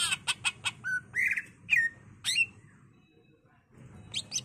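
A greater green leafbird pours out a rapid, varied song: sharp chips, slurred whistles and rising notes, pausing briefly before a burst of high chatter.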